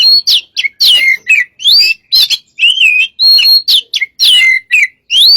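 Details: White-rumped shama song used as a master recording: fast, continuous string of sweeping whistles and chattering notes, rising and falling, nearly without pause.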